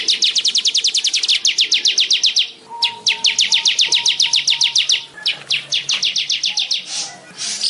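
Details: Weaver (manyar) delivering rapid bursts of high, sharp ticks in several runs separated by short gaps, closing with a rasping buzz. A faint, low whistled tone sounds in the background.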